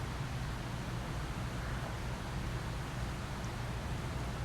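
Steady broadband hiss with a constant low rumbling hum throughout, like wind or vehicle noise, with no animal calls.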